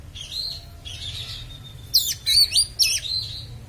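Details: Oriental magpie-robin song meant to provoke other magpie-robins: soft wavering whistled notes, then a few sharp, loud, scratchy slurred phrases in quick succession.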